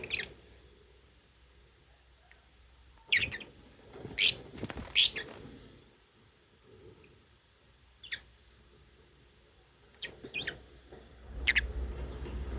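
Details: Chirping lovebirds give scattered piercing high squeaks, some in quick pairs or triplets, with pauses between them and faint low hum underneath.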